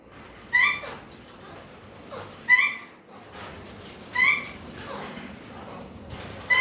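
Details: Alexandrine parakeet, several birds gathering: loud, harsh, screechy calls with a falling tail, each lasting under half a second and coming about every two seconds over a quiet background.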